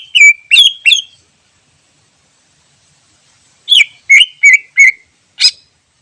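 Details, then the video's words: Wild greater green leafbird used as a lure: three sharp, slurred whistles falling in pitch, a pause of over two seconds, then a rapid run of four descending whistled notes and one short buzzy note. "Suara Asli Cucak Ijo Alam Liar Cocok Buat Pikat"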